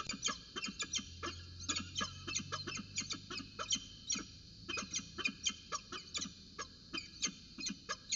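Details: Peregrine falcons in Orange at 8.27 am on 4 December 2018, during a morning 'roundabout dance': a run of harsh, rasping notes repeated about two to three times per second, some doubled, over a low steady hum.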